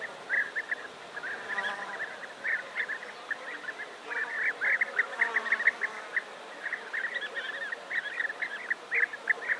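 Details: Large colony of European bee-eaters near Navalcán, New Castile, Spain, giving many short, rolling chirps that overlap constantly, with a guitar playing in the background.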